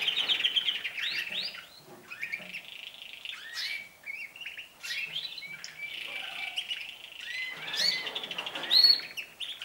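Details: Canaries singing together as their singing season starts, pouring out continuous overlapping trills, rising and falling whistled sweeps and sharp high chirps, with a bright loud note near the end.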